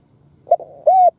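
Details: Spotted dove, a captive decoy bird, giving a single cooing phrase: a short soft note, a quiet murmur, then a longer steady mellow coo, with a faint low hum beneath.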